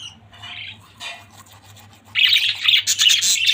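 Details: Budgerigar family chatter: a few soft scattered chirps, then a loud dense burst of overlapping buzzy squawks in the final second and a half, with a low hum throughout.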